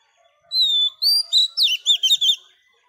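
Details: A single phrase from a wild-caught female Oriental magpie-robin singing to arouse males: a long steady whistle, then about six quick bright notes that loop up and down.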